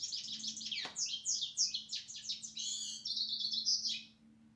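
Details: European goldfinch delivering a fast jangle of high tinkling notes and buzzy trills, with one sharp click early and a low hum beneath.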